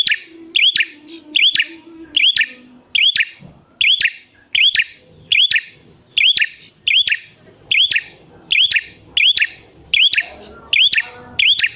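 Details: Red prinia calling, played to coax wild prinias into responding: a steady series of sharp, high, upturned chirps, each with a click, about once per second, with soft low murmurs in the background.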